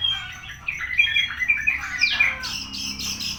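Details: Javan bushlark recorded on 24 September at ten o'clock, singing a varied run of chirps and warbled notes, a quick rising sweep midway, then thin high-pitched notes at the end.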